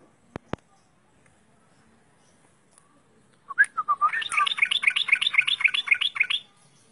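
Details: Yellow-vented bulbul song used as training audio for young or silent birds: after a quiet start with two sharp clicks, a burst of rapid, bubbly, chattering notes, about four per second, runs for three seconds.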